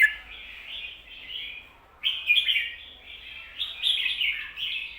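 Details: Teaching song of a red-whiskered bulbul, 'kho-ta-ra' doubled phrasing: smooth whistled notes at first, then after a short gap a sharp loud phrase and continued musical warbling to the end.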